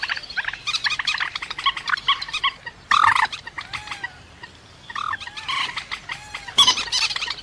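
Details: Rail calls from a trapping-lure recording: scattered chattering notes, a loud rough burst, curved whistled slurs, and renewed rapid nasal chatter.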